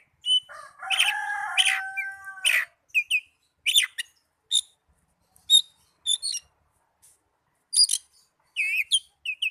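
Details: Oriental magpie-robin song played to coax young or silent kept birds into singing: a rich opening phrase with sustained whistles, followed by a string of separate sharp, high chirps spaced about half a second apart.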